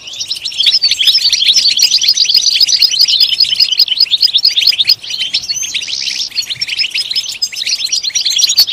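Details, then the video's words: {'caption': 'European goldfinch delivering a continuous stream of quick, high, tinkling twitters with a brief buzzy burst, a song used to encourage other goldfinches to sing.'} "Comprehensive guide to stimulating and singing the goldfinch"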